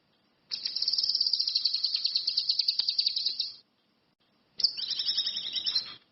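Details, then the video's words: Energetic song of an orange-headed thrush, locally cucak kinoi or ranti mas, used as a lure. A sustained rapid trill of about three seconds, silence, then a warbling phrase of quick descending high notes. "SUWARA BURUNG CUCAK KINOI/ RANTI MAS, GACOR"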